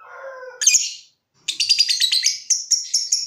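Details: Lovebird song: a grating harsh note, a short silence, then a quick pulsing trill that slows into separate sharp ticks, in the ticking-then-trilling style called ngetik and ngekek.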